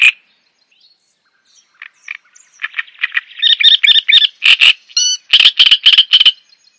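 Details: Java sparrow song: one sharp note, a quiet pause with faint chirps, then an accelerating series of chips rising into loud, ringing, metallic notes with one brief bell-like flourish.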